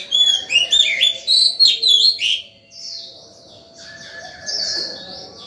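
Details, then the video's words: Morning song of a white-rumped shama, used to call other birds and train young birds: a fast burst of rich, varied whistles and trills, then softer, lower warbling phrases. "Chòe than vào lửa hót sổng buổi sáng, gọi bổi, tập chim non hay!"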